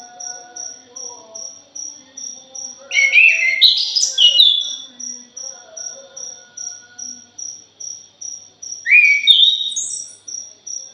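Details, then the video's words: Lure song of a punglor jali thrush: two outbursts of quick, scratchy, warbled whistles separated by several seconds, while an insect chirps steadily about three times a second. "PANCINGAN PUNGLOR JALI"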